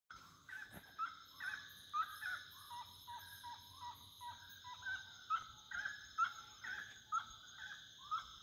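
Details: Wood rail singing at nightfall: a run of loud, repeated clucking notes, some rising and some falling, several each second, with occasional higher yelps. A steady high insect drone runs underneath.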